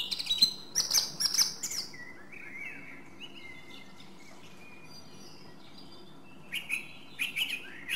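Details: Song thrush (Turdus philomelos) in song: a loud burst of rapid, repeated high notes, then a pause filled with faint whistles from other birds, then another bright, repeated phrase near the end.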